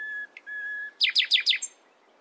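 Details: Morning nightingale phrase: two long pure steady whistles, then four quick loud descending slurred notes, each about a tenth of a second apart.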